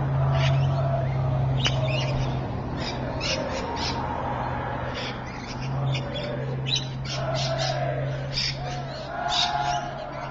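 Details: Rainbow lorikeets at Evans Head on 26 May 2012, giving a dense run of shrill, grating screeches that overlap and repeat rapidly, as from a noisy group, with a constant low hum underneath.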